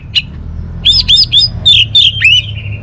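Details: Orange-headed thrush singing a string of clear, high whistled notes, some sliding down and some rising, in short bursts after a brief opening chirp, with a low steady hum underneath.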